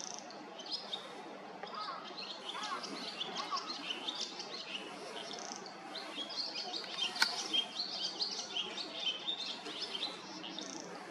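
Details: Swallow, thought to be a young bird not long out of the nest, heard calling in this area over several days: rapid high twittering chirps repeated almost three times a second, irregular, with constant low background noise.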